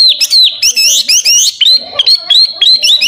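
A Hwamei sings loud, rapid, ever-changing phrases of rich whistles, slurred notes and chattery trills, delivered almost without pause and high in pitch.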